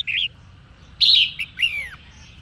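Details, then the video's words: Song of a female red-whiskered bulbul, meant to excite males into singing: a short warbled phrase, a louder rich chirp, then a clear note sliding steeply downward, with soft ringing between. "Chim Chào Mào Mái Hót Kích Trống Gây Nghiện Cho Trống"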